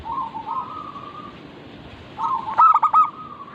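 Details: Local zebra dove cooing, played as a lure so birds start singing: soft drawn-out rolling trills, then a loud burst of four or five quick throaty coos late in the clip, over other doves calling.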